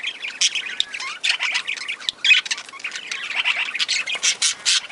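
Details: Budgerigar flock in a breeding aviary with lovebirds: irregular bursts of shrill chirps and rasping squawks, several birds calling over one another at moderate volume.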